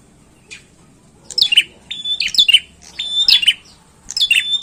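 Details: Bar-winged prinia song in a lively, vigorous style: groups of sharp high chirps each ending in a short level whistle, delivered in bursts about once a second with brief pauses between.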